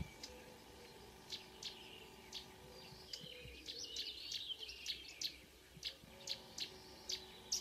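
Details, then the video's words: Marsh warbler song recorded early on a June morning, 2 June 2009, at Kråkstad near Ski, Norway: a quiet, varied stream of high chatters, trills and sharp ticking notes, growing busier midway, with faint background hum. "The song of a *Acrocephalus palustris* Myrsanger / Marsh Warbler"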